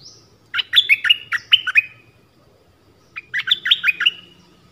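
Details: Forest recording from 13 January 2021 of a decoy Dok Taeng bird calling a mate; two fast bursts of sweet, down-slurred chirping notes, each lasting about a second, separated by a short pause.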